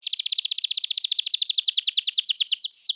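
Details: Singing canary used to stimulate other canaries to sing: a fast, even series of trilled notes around high pitch, gradually slowing into separate downward-swept chirps near the end.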